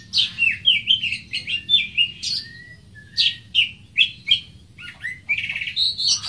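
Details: Greater green leafbird (Chloropsis sonnerati) singing: a lively run of short slurred whistled notes and clear chirps, falling and rising, repeated in quick bursts with brief pauses, ending in a higher warbled phrase.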